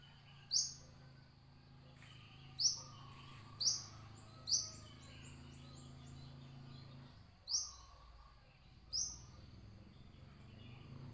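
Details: Brown-throated sunbird singing thin, very high chirps. Four come in quick succession, followed by a pause, then two more. A low rumbling hum runs beneath for the first seven seconds and then fades.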